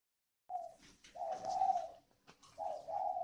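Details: Spotted dove decoy bird with a 'còi' voice, from a bird garden in Ba Vì, Hanoi, northern Vietnam: a brief low coo, then a long, steady, mellow coo and a third coo after a short pause, in a quiet room.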